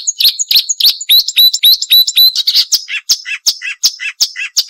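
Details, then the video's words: Marsh warbler song intended for training songbirds: sharp high whistles and chattering notes mixing into a varied, repeated series of twittering phrases. "Masteran Burung Suara Tajam - Masteran Nembak Tajam - Mars Warbler"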